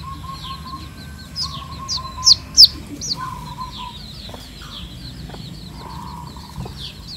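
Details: Red junglefowl chicks of diluted wild bloodline foraging in natural surroundings behind a hen. High, thin peeps sweep up and down in rapid irregular runs, with two louder sharp cheeps near the middle and a steady buzzing insect drone.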